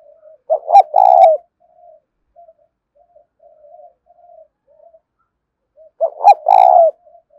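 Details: Two spotted dove 'thúc' coo phrases, used to call wild doves in, about five seconds apart: each has two brief notes and a long rolling coo, with soft low cooing murmurs filling the gap.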